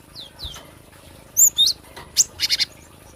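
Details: Cinereous tit, recorded for luring or song training, giving falling whistled slurs, then sharp high notes and a quick buzzy three-note chatter, all within about three seconds.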